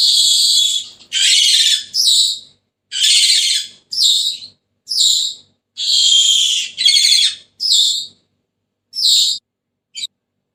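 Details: Senegal parrot calling in a run of about a dozen harsh, buzzy screeches of varying length, some paired closely, spread over ten seconds with brief pauses.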